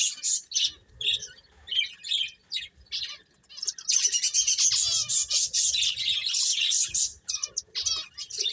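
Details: Finches playing give separate, spaced chirps, then break into a continuous, dense chorus of high twittering before it thins out again.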